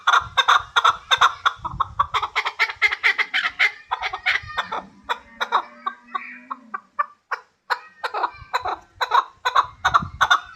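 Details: Hybrid chukar partridge giving rapid, harsh chucking calls in fast bursts, interrupted midway by a low drawn-out drone before the clucking series resumes.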